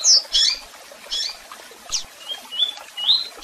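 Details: Double-collared seedeater singing in the tui-tui style, with chirps and calls: sharp high chirps, then a short run of rising whistled notes near the end, over a faint hiss.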